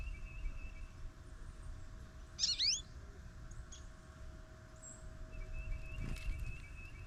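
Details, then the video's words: Goldfinch at a feeder on a snowy morning. One brief flurry of slurred high notes early on, then quiet except for a thin steady tone and a soft low rumble. "SING Snowy Gold Finch"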